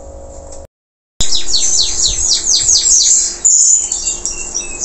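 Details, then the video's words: Local canary singing strongly after moulting: after a brief silence, a fast series of descending whistled sweeps, then thinner high notes and a short steady whistle. "Kenari lokal selepas mabung,,Masih Aja Gacorr"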